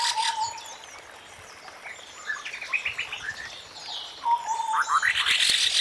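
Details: White-browed scimitar babbler calling in forest, giving quick low bubbling note series at the start and again near the end, while other birds chatter and twitter loudly between and over them.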